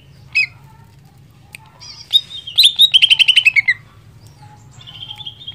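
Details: Cucak ijo, the greater green leafbird, in energetic song meant to stir rival leafbirds: scattered chirps, then a quick descending series of about a dozen sharp notes, ending in a thin level whistle with faint background hum.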